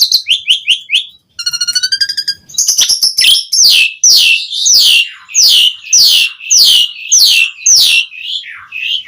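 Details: Asian pied starling in vigorous song to summon other starlings: a short series of chirps, a rattling trill, then repeated loud, slurred whistled notes sweeping downward roughly twice a second.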